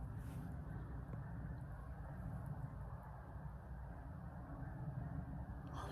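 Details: A steady low rumble like a passing vehicle fills the recording, with no animal calls.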